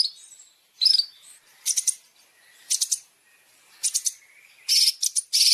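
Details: Champion fill material (isian) for long-tailed shrike masteran: separate clusters of harsh, rasping high notes broken by short pauses, with a faint thin whistle between them.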